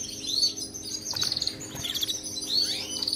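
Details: Canary song used for training pet canaries to sing: high chirps, trills and sweeping whistles, with a steady low hum underneath.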